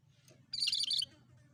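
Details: Cucak kerinci bulbul singing vigorously, a lure sound for birds: a short burst of fast, chattering high notes over a constant low hum.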